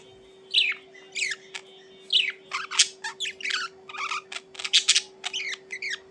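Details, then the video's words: Budgerigars chirping, kept as pets: scattered short harsh squawks and warbled notes in bursts, with pauses between, over a steady low electrical hum. "Budgies Chirping Reducer Stress of Lonely Birds"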